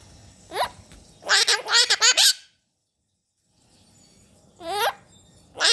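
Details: Pet Hahn's macaw at home with its owner giving a quick run of sharp popping clicks, flanked by short rising squeaky notes, with a silent gap before another swept squeak.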